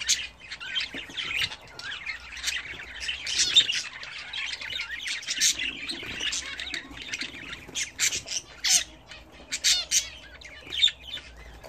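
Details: Bathing budgerigars raised as a home hobby keep up a steady scratchy chatter of squawks, chirrups and clicks, many voices overlapping at a fairly even level for the whole stretch.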